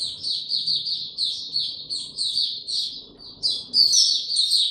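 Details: Opening song of a kept white-eye (mata puteh) given no supplements, 29 April 2022: quick runs of high chirping notes in steady pulses, then a brighter, louder flurry near the end, over a soft low hum.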